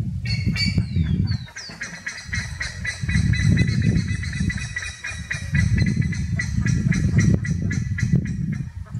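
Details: Buff-necked ibises (Theristicus caudatus) on a eucalyptus windbreak in Valle Edén, Tacuarembó, Uruguay give loud, metallic honking calls in fast, uneven bursts, several notes a second, over heavy low wind rumble.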